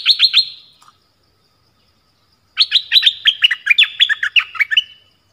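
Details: Decoy streak-eared bulbul calling to lure wild birds, recorded January 2021: three brisk chirps, a long pause, then a rapid rattling string of bright, slightly descending notes lasting over two seconds.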